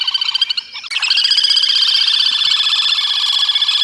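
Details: Little grebe (Tachybaptus ruficollis) feeding chicks: a dense, high-pitched trill of rapid pulses, about four per second, running steadily after a brief break, with chattering notes before it.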